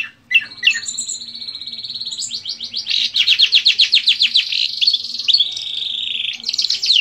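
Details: Competition long-tailed shrike, known in Indonesia as cendet, singing borrowed phrases of other birds such as canary and lovebird; brief whistled notes lead into a continuous rolling, fast warbled trill.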